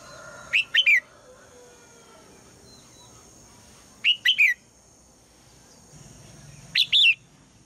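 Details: Female red-whiskered bulbul calling in the morning to prompt the male to sing: three short bursts of two to three bright, slurred whistled notes, each group spaced a few seconds apart, over a quiet background with a faint steady hum.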